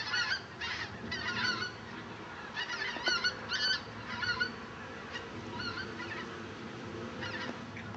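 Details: A huge flock of migrating common cranes (Grus grus) calling overhead: loud, rolling trumpeted notes from many birds overlapping in irregular bursts, with a faint hiss of wind beneath.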